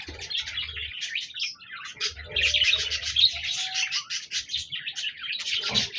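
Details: Budgies chirping and singing, 26 January 2024: a steady stream of high, fast, twittering notes and scratchy chatters, with occasional soft low bumps beneath.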